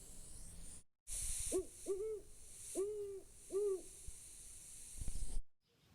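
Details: Great horned owl (Bubo virginianus) gives its classic territorial hoot, a deep, soft phrase of four muffled notes with the middle pair quicker, over a steady background hiss.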